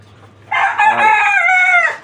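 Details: Desi chicken on a farm keeping 29 free-range native hens, a flock also raised in cages: one long crow, a harsh, rich, slightly rising and falling note held about one and a half seconds before breaking off, over quiet background.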